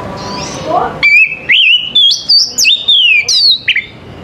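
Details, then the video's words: Oriental magpie-robin (kacer) singing in the morning: a run of clear, loud whistled phrases, each sliding up or down, repeated roughly every half second after a quiet, muffled start. "TERAPI KACER PAGI HARI"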